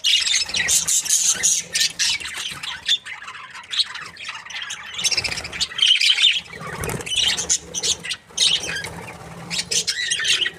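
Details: Australian budgies, a breeding pair, produce long stretches of harsh, scratchy chatter mixed with high squeaks and clicks, nearly continuous for over ten seconds.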